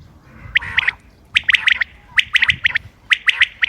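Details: Common quail calling, recorded 28 May 2025 for hunting: quick groups of two or three dry, high clicks, about a dozen notes in under four seconds.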